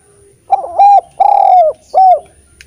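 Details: Cooing song of a Eurasian collared dove used to coax lazy spotted doves into singing: a short stuttered opening, one sustained coo, then a longer descending coo and a final shorter coo, rich and resonant.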